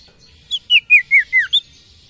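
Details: Sirtu, the common iora, singing to attract females. A single phrase of six ringing whistles, each note sliding down and the series descending, ending on a short higher note, against a quiet background.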